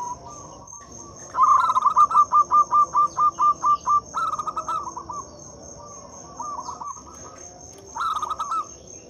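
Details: Song of a local zebra dove, played as a lure for silent doves: about a dozen evenly spaced throaty coo pulses in quick succession, then shorter rolling bursts, over a constant thin high whine.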